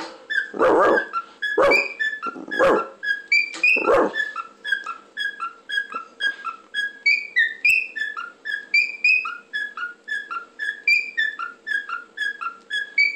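A cockatiel makes percussive beatbox-like pops, then rapid bright chirping whistles.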